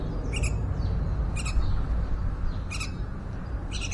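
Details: Grown Yellow-vented Bulbul fledglings, able to eat banana themselves, give short, harsh, high chirps about once a second while their mother feeds them, over a steady low rumble of wind or handling noise.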